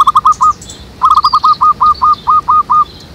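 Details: Zebra dove (perkutut) calling at a jackfruit tree behind a house, used as a lure for trapping: a quick run of four staccato cooing notes, then a longer phrase of about eight evenly spaced, slightly falling notes, with faint birds in the background.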